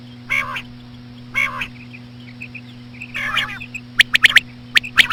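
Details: Common quail lure with slow female quail calls: three nasal buzzy calls spaced over a second apart with soft faint notes, followed by quick sharp clicking triplets, over a low constant hum.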